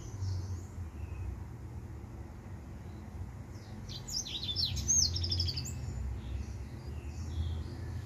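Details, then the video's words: Quiet start, then a male white tip finch bursts into a fast sequence of high, ringing chirps and trills lasting about two seconds, followed by scattered faint notes over a low hum. "White Tip Finch"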